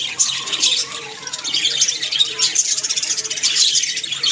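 Budgerigars chatter in a busy, high, scratchy warble with squawks and chirps.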